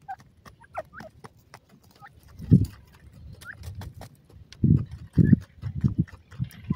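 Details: Grey francolin chicks giving short, thin, upslurred peeps scattered irregularly through the recording, roughly a dozen notes, over heavy low thumping and scuffing noises close by.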